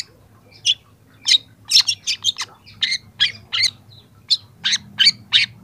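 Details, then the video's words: Young long-tailed shrike singing for use as a lure for other young shrikes, beginning to show borrowed phrases: a string of short, sharp chirps and scratchy notes at an uneven pace over low background hum. "masteran cendet muda"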